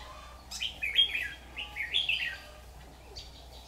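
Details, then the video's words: Caged decoy red-whiskered bulbul used in trapping, 6 August 2019, a swaying bird that often opens its tail; one lively phrase of liquid, bouncing whistles lasting nearly two seconds, then a faint closing note. "Bẫy chào mào Má lỡ lắc lư có tí xòe"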